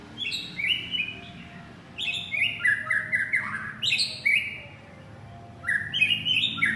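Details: Male white-rumped shama calling his partner with rich, varied whistled phrases, bright notes stepping down in pitch, delivered in three bursts separated by short pauses.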